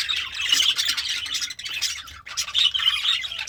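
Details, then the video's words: Happy budgie eating greens, singing a harsh, rasping warble of squeaky high notes with a short dip in volume midway before the chatter resumes. "The Sounds of a Happy Budgie - Chirping, Singing, and Eating Greens"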